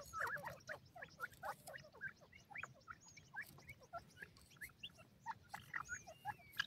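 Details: Baby pheasants feeding in the wild: many soft, high chirps and peeps from several chicks, scattered and overlapping, with a faint longer whistle near the end and a low background hum.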